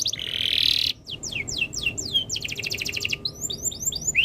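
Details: Canary in breeding condition, singing to make other birds join in: an opening harsh buzzy burst, then a series of sweeping downslurred whistles, a rapid trill and further quick upslurred notes.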